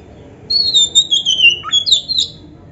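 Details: Oriental magpie-robin song phrase, meant to make other magpie-robins answer: a short run of clear, high, slightly falling whistles with a quick rising slur in the middle, lasting under two seconds.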